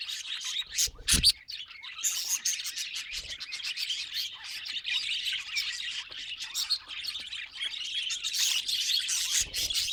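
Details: Continuous high twittering and scratchy warble from a budgerigar, dense and fast for the whole stretch, with a single low knock early on.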